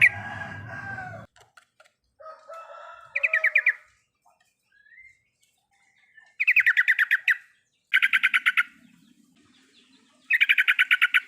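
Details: Yellow-vented bulbul (trucukan) singing full riwikan as a lure for a non-singing bird: after a loud noisy opening and soft warbles, several dense bursts of fast pulsed chatter follow.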